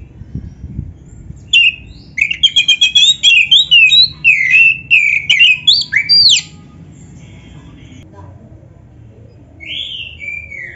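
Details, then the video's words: Champion-style Oriental magpie-robin song rich in mimicry, used to get other magpie-robins to respond: about five seconds of fast, rhythmic chirping and sweet whistled notes, then near silence and a lone descending whistle. "SUARA BURUNG KACER GACOR ISIAN JUARA ‼️ - Stel suara ini BIKIN KACER LAIN CEPAT NYAUT"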